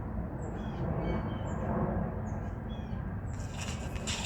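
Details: A grackle in a park in Denton gives a string of thin, squeaky high whistles and short slurred notes over a steady low rumble of traffic, ending in a burst of rustling noise.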